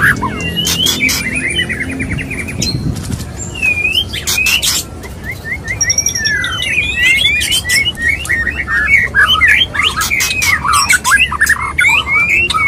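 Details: Male white-rumped shama courting a female, giving a dense, fast stream of varied whistles and twittering slurs. Sharp rasping bursts come early, then a long continuous warble.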